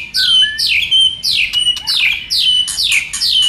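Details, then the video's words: White-rumped shama song used to stimulate other shamas: a low whistle, then a string of repeated bright downward-sweeping notes with sharp clicks, over a faint hum. "Kích Chòe lửa hót nhiều giọng"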